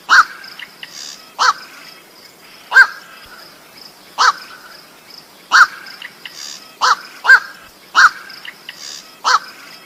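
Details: White-breasted waterhen call played as a trapping lure: a series of loud, hoarse, croaking notes at irregular intervals of about one to one and a half seconds, over a faint constant high-pitched hum.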